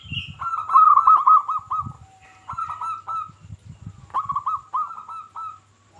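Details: Local zebra dove song meant to draw other zebra doves into singing: quick trilled coos in clustered phrases separated by pauses, with low thumping handling noise underneath.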